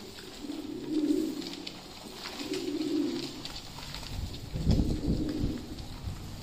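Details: Fancy pigeons at feeding time giving low, swelling coos about every two seconds, with a heavier rumbling thud near the end and soft clicking throughout.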